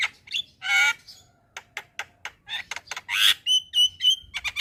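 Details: Javan myna (jalak kebo) in energetic, chattering song: harsh squawks, clicks and short whistled notes, with a run of clear upslurred whistles near the end.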